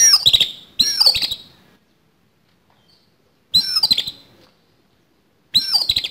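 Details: Oriental magpie-robin, a contest fighting bird, giving a rough, harsh fighting song: three dense buzzy, scratchy bursts of about a second each, separated by short pauses and a longer silence.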